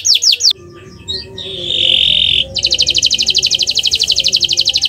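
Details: Canary training song for luring birds: a few quick descending whistles, a pause, a long sustained buzzy trill, then a fast regular rattling trill of sharp high notes.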